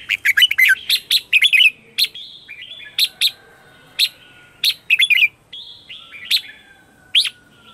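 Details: Training and lure song of a red-whiskered bulbul, sung in the morning to draw in wild birds. Rapid cheerful warbled notes open, followed by separate sharp chirps and brief fluty phrases spaced about a second apart.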